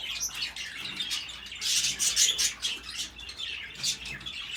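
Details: African grey parrots kept as pets, mating indoors; hissy, raspy high-pitched chirps in irregular bursts, building to the loudest stretch mid-way and then easing off, over a faint low hum.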